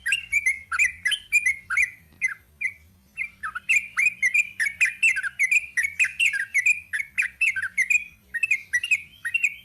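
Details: Sooty-headed bulbul singing in the long rapid 'ropel panjang' style: bright chirpy notes repeated quickly in bursts, with a short pause near three seconds before the rapid phrases resume.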